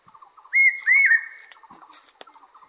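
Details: Two strong, clear rising whistles from barbets, then softer pulsed chatter continuing underneath with a couple of sharp clicks.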